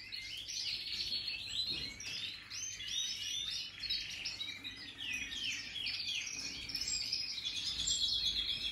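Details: Several European goldfinches of the Major type, new birds in 2023; dense, overlapping high twittering and tinkling notes run continuously, with slightly louder trilled phrases toward the end.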